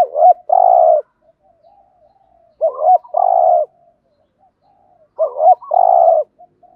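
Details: Spotted dove decoy call meant to pull in wild doves, three phrases spaced about 2.5 seconds apart, each a doubled hoot and a steady purring coo, soft murmurs between.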